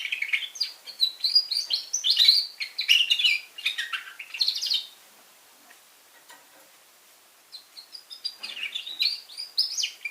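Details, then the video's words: Young red factor canary in song, pouring out dense high warbling twitters and rapid chirps for about five seconds, falling silent briefly, then resuming with another quick twittering burst. "Red Factor Canary Finch Younge Singing Bird"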